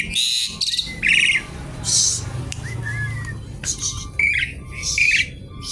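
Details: Noisy gacor singing with isian from a Javan pied starling seeking a rival: grating rasps alternate with short slurred whistles and chattering notes, loud and irregular.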